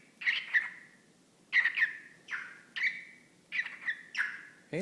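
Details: A male whiteface lutino cockatiel, talking to a sock-type puppet held up for him, mimics speech ("hey little bird", "whatcha doing") in five short, raspy, whistle-tinged phrases about a second apart, with a brief human voice at the end.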